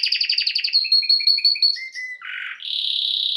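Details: Canary singing a sequence of rapid repeated chirps, then clear whistled notes at two pitches, a short low buzzy burst, and a sustained high rolling trill; loud and close.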